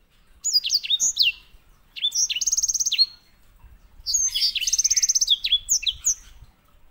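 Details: White-rumped seedeater, also called grey singing finch, kept as a master bird for tutoring canaries: three bursts of rapid, high whistled notes with sharp downward slurs and a dry buzzy trill in the middle and last phrases, in a quiet setting.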